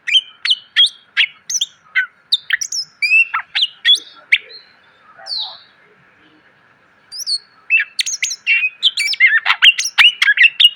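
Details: Training song of a greater green leafbird, rich in fill phrases. A rapid stream of sharp chips and whistled notes, a quieter pause with a soft slurred note, then dense, loud twittering resumes. A steady low hum lies beneath.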